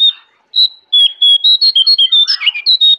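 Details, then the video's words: Jongkangan singing vigorously in the forest at Kintamani, Bali: a rapid run of clear whistled notes near one pitch, each short and bright, strung together quickly with slight rises and dips, after a brief opening note. "Jongkangan Gacor Dari Hutan Kintamani, Bali"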